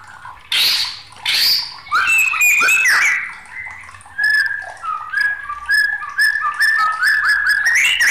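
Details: Agitated white-rumped shama in full song: loud rasping bursts open, then clear whistled notes that slide and step between phrases, building into a fast run of bright, sharply varied whistles.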